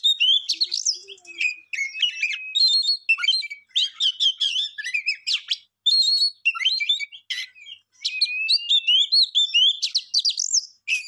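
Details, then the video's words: Songbird delivering a continuous, rapid medley of high chirps, trills, and short whistles with only brief gaps, lively and uneven in rhythm. "Beautiful song bird"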